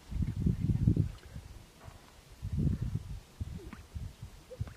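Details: Two male greater sage-grouse strutting at a lek, a courtship display aimed at a female walking by; deep, soft bubbling pops come in two main bursts with faint scattered knocks in between.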